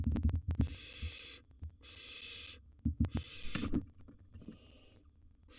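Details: Wild barn owl owlet inside a nest box with a big gerbil; a run of rasping hisses, the last ones quieter, mixed with rapid knocking and shuffling noises.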